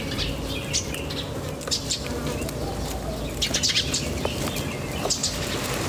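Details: Birds chirping in nature: short bright high chirps coming in loose bursts, busiest in the middle, above a steady low background hum.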